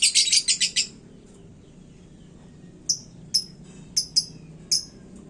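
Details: Caged lovebird singing hot, said to agitate other birds: opens with a fast burst of shrill chattering, then after a pause gives single sharp high chirps spaced irregularly.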